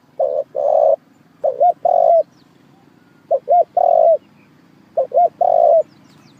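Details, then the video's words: Spotted dove lure call for trapping: four repeated cooing phrases about every 1.5 seconds, each of one or two quick, soft hoots and then a drawn-out, steady coo ending with a slight drop. Background is quiet. "Tiếng chim cu gáy kích mồi cực mạnh cuckoo bird trap"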